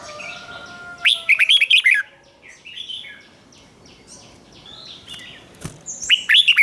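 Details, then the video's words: Red-whiskered bulbul giving 'rik' doubled-phrase song for young birds to copy: a lively run of rapid slurred whistles, a pause with softer warbles and a sharp click, then the phrase begins again. "นกหัวจุกนกร้องริก เบิ้ล3"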